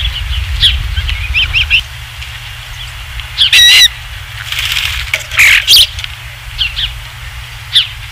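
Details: Osprey at a ranch nest on 27 July 2016 around 19:55, during the third fish delivery: short high whistled chirps in loose groups, with loud crackling bursts from wind or wing flaps and a steady low hum.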